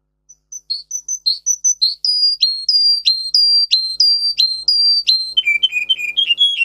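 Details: Song of a Russian singer canary, bred for singing with 10-15 high tone variations: soft, very high single notes, then loud repeated two-part whistles each falling, ending in a run of quicker lower notes.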